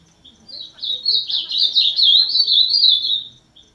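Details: Ultramarine grosbeak, azulão, pouring out a loud continuous warbling song of quick slurred whistled notes for about three seconds, with a soft chip at the close.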